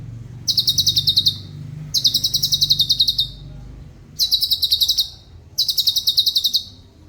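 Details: Cucak cungkok, a tutor bird for training songbirds, repeating crisp, rapid high-pitched trill phrases about a second long, four in a row with even short pauses, over soft low background hum.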